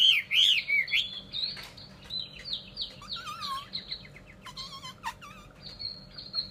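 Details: Singing Chinese hwamei from the Vietnamese cage-bird trade: loud slurred whistles at the start, then varied looping notes and clicks, fading to softer whistles toward the close.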